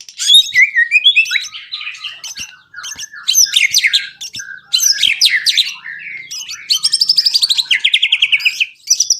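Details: White-rumped shama song as a prompt for other birds to sing, mostly high buzzy chatters and rasping bursts, ending with a steady series of rapid pulsed notes.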